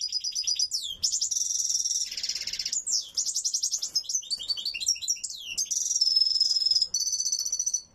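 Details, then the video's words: A European goldfinch sings loudly: a fast, bright, tinkling song of liquid twitters, buzzy trills and sharp chirps, high-pitched and continuous throughout. "اسمع مقنين تغريد عالي"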